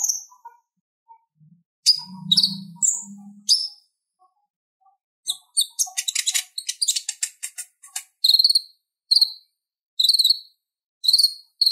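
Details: A purple-throated sunbird sings rapid, very high, thin chattering trills and sharp tsit notes in bursts, with a few low hums early on.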